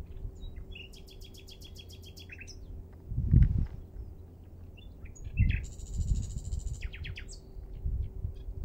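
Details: Common nightingale recorded at Minster marshes in Thanet on 5 May 2014: rapid buzzy trills and repeated ringing notes in bursts, a sustained high rattling phrase, over steady low rumble and occasional thumps.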